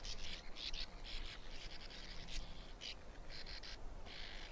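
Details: Sand martin calls: short dry buzzy chirps given in quick clusters, with pauses between bursts, over a steady low background hiss.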